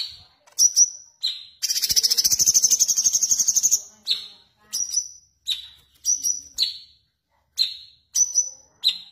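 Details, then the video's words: Sooty-headed bulbul singing sharp, high whistled shots, many slurring downward, with one long rapid rolling trill (ngerol) in the middle. The notes are spaced about half a second apart. "Cucak Cungkok / Variasi suara"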